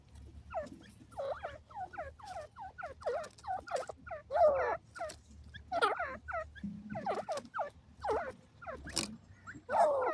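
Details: Grey francolin (desi teetar) calling steadily, many short curved notes dropping in pitch, grouped in rapid pairs and triples, with a low hum beneath.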